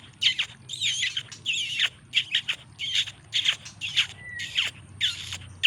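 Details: White-rumped shama of the Medan type, described as a fighter bird: rapid, varied high whistles and chattering bursts, about ten separate phrases in under six seconds with brief gaps between, over a faint low hum.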